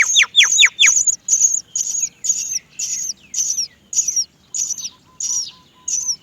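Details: Great myna chicks beg to be fed by their mother: a few sharp descending whistled sweeps open, then high squeaky chirps repeat roughly twice a second in a quiet setting.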